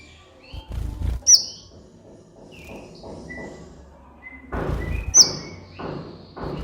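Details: Van Hasselt's sunbird, a lively singer on a training recording for captive birds. Two sharp, very high piercing notes and scattered thin whistles, with thudding knocks in between.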